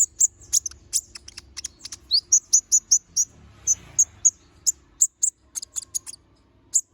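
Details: Little spiderhunter, known as konin, in full song with a sharp, piercing tone: a rapid sequence of very high, clipped chips, some in quick runs, others spaced singly, with a soft hiss mid-way.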